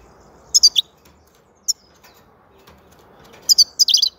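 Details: European goldfinch song in short bursts: a few high, tinkling twitters, a lone sharp note, then a longer rapid run of jangling, twittering notes at the end, with faint background hiss.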